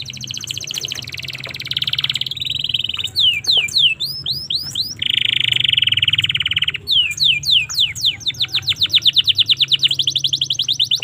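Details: Indonesian domestic canary song meant to train and provoke young canaries: buzzy rolls, sweeping upslurred whistles, a loud harsh buzz, then long runs of rapid repeated notes that speed into a steady trill.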